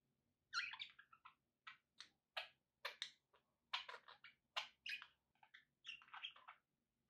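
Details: Pet budgies warbling: a steady stream of short high clicking and chirping notes, varied and rapidly repeated, over a faint low hum of background noise.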